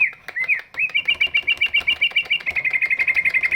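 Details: A big greater green leafbird sings to coax other birds into song: a few slurred whistles, then a fast even trill of repeated sharp notes, about four per second, held to the end.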